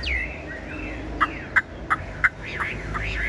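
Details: Caged, tame Chinese hwamei with yellow legs and bill and a strong voice: a long falling whistle, then four sharp clicking notes about a third of a second apart, ending in wavering looped whistles.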